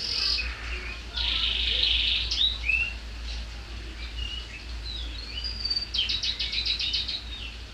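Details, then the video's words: Canary, not yet in condition with a bald neck, delivering a shrill varied song: a dense harsh burst, scattered whistled slurs, then a rapid repeated trill near the end, with a constant low hum behind. "Kenari suara melengking"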